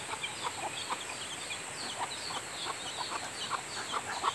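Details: Young kept ducklings settling into a new place, giving short, bright peeps repeated irregularly several times a second, some overlapping, over a constant high electrical whine.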